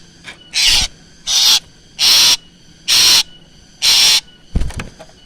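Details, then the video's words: Black drongo lure sound: five harsh, hissing screeches given about once a second, ending with a brief scratchy rustle. "suara original srigunting hitam untuk pancingan"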